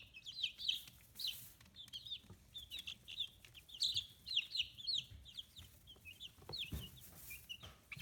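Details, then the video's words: Free-range chicks aged fifteen days, feathers coming in, on a small poultry farm in Kitahiroshima, Japan; rapid high-pitched peeping in dense bursts, swelling and easing over several seconds, with occasional soft knocks and low background noise. "Chicks Chirping Sounds"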